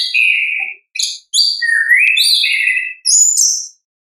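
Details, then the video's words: Natural song of an orange-headed thrush, played to coax reluctant birds into singing: long whistled notes, one dipping then rising, mixed with bright high trills in a continuous varied phrase. "ANIS KEMBANG GACOR, pancingan suara asli alam anis kembang"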